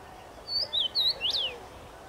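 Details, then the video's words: A common rosefinch sings from a tree on 23 May 2021, giving one clear whistled phrase of three short notes and a longer final note that sweeps up and then down. "Dziwonia śpiewa na drzewie"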